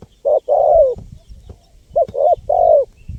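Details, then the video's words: Cooing of a spotted dove played to attract wild birds: a short coo followed by a long slurred falling coo, given twice, with faint low rumbling noise underneath. "SUARA LANGKA BURUNG TEKUKUR GACOR PALING AMPUH 2024 UNTUK PIKAT BURUNG LIAR"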